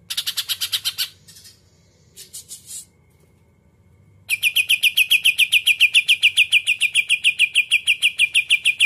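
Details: Greater green leafbird with a short burst of high chips, a pause with a couple of faint fragments, then a long, loud, rapid run of evenly repeated bright notes.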